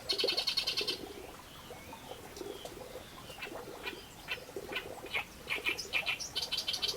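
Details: Reed warbler song that opens with a loud buzzy chatter, followed by a run of fast, repeated harsh clicks and chirps over faint hiss.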